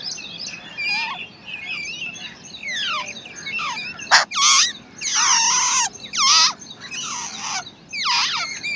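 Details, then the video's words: Harsh, buzzy squeals and downslurred notes from wild babbler chicks fed by their parent, several loud rasping bursts near the end. "Wild Babbler Bird Feeding And Protecting To Her Chicks"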